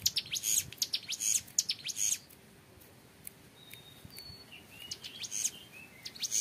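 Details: Young hill prinia opens with two seconds of loud, rapid high ngebren trilling, then the song fades to scattered faint high notes and a thin whistle before strengthening again at the end.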